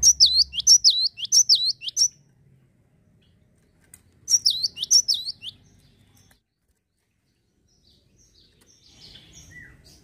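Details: Two bursts of Java sparrow calls, played to encourage other birds to sing regularly. Each is a rapid string of high, clipped notes dipping and flicking upward, about two seconds long, separated by quiet, with faint low background hum.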